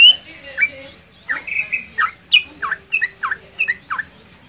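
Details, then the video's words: Yellow-vented bulbul singing energetically over water: a lively series of about eight short, bubbly, downslurred notes delivered in quick succession, each note sharp and clear against a quiet background. "burung trucukan gacor di atas air"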